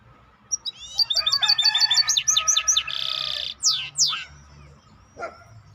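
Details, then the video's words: Maestro bird singing a varied phrase: quick stuttering high notes, a series of descending chirps, a buzzy rattling stretch, then two loud sweeping slurred whistles, followed by quieter notes. "احلى تغريد مباشر لطائر المايسترو 🐦The best direct tweet of the Maestro bird"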